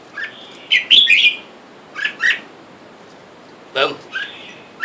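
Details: Red-whiskered bulbuls, a caged wild-caught male and female, with wild birds outside calling for a mate. Short liquid chirping phrases come in three separate groups, with a brief low human sound between them.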